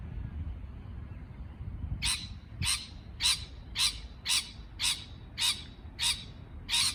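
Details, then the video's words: Parrot calling after two seconds of quiet: nine harsh, scratchy squawks at an even pace of roughly two per second, each short and broad, over faint low background noise. "美丽的鹦鹉鸣叫beautiful parrot chirping sound call"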